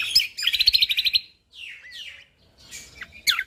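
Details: Short burst from a champion Lombok white-eye: a quick high chip, a fast rolling trill, then softer slurred whistles and a sharp falling note at the end.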